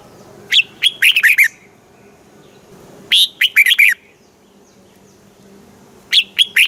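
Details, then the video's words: Southern master-style song of a Red-whiskered bulbul from Thailand, used to stimulate caged birds and teach young ones: three short phrases of rapid, sweet warbling notes, each about half a second long, separated by roughly two-second silences. "เสียงนกกรงหัวจุก ร้อง ริก เปิดให้นกฟัง ยั่วให้นกคึกจัด"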